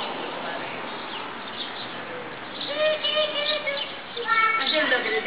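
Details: Geese in large numbers at an apartment complex in Columbus, Ohio, starting with a quiet murmur of distant calling, then two close runs of rapid, honking calls in the final half.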